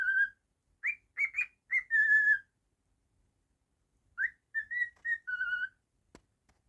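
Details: Domestic cockatiel whistling two phrases: choppy rising chirps leading into a sustained level whistle, a long silence, then a second phrase of upslurred and flat whistles, ending with a single sharp click.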